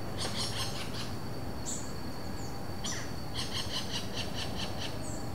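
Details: Pair of Robust Woodpeckers calling to each other in the wild, Vargem Grande Paulista, São Paulo, Brazil, April 2023, no playback, Zoom H4n: a short harsh rattle, a few single squeaky notes, then a longer series of rapid buzzy notes.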